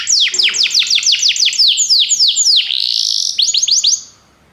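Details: A Belgian canary sings to prompt other canaries into song: a rapid series of falling whistled notes, then a smooth rising buzzy glide, closing with a short burst of quick sweeps before fading to quiet.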